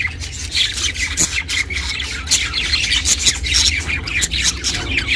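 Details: Pet budgerigar chirping at home, recorded as company for budgies kept alone: continuous busy chatter of short squawky chirps and warbles, mostly high-pitched, with scratchy notes and little pause throughout, over a faint low hum.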